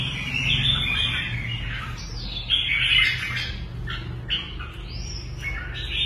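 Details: Red-whiskered bulbul trained as a competition bird, singing rapid, lively chirruping phrases in quick succession, with clear whistled notes and choppy breaks, against a low background hum.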